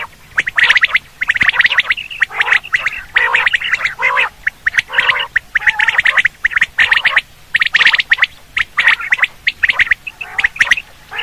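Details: Quail hunting call: a long, dense run of loud, rasping, chattering bursts. Each burst lasts under a second, and they repeat almost without pause for eleven seconds.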